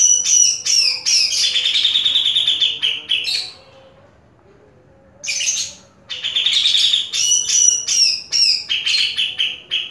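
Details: Vigorous song from a caged grey-cheeked bulbul: dense bursts of shrill chirps and warbled trills, a silent gap of about two seconds, then another lively stream of quick high notes.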